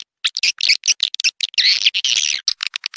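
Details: Swiftlet call: a quick series of high, chirping and buzzy notes, merging into a longer trilled twitter before breaking back into separate chirps.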